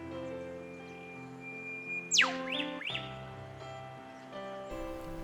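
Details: Eastern Whipbird pair at Lake Macquarie, Australia, in wild forest scrub, dueting: the male's sharp, plunging whip-crack, then at once the female's two quick rising 'chew-chew' notes; soft instrumental music underneath.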